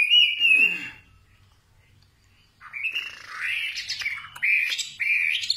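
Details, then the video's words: Singing nightingale: a bright whistled phrase, about a second of near silence, then a rising jumble of varied chirps, trills and sharp notes building in loudness. "Singing nightingale. amazing bird song"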